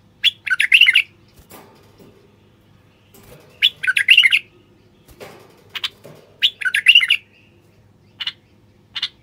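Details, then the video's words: Singing male common bulbul of Moroccan stock, used to urge wild bulbuls to sing and pair: three rich gurgling phrases repeated every few seconds, each followed by sharp single chirps, with faint clicks between. "تغريد خاص لتحفيز البلابل الوحشية القافلة"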